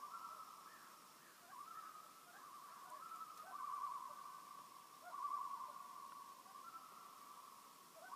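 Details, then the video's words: Loons on a peaceful lake in Maine keep up a long, almost continuous run of overlapping wavering tremolos, swelling and fading several times, with short rising slides between phrases and low steady background noise. "Song of the Loons"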